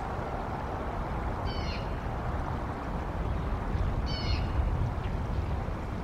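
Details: Bald eagles, a pair at nest N1 in Decorah, mid-morning on 18 April 2022 after bringing in fluff; two short, faint, high-pitched chittering bursts roughly two and a half seconds apart, with constant low background rumble.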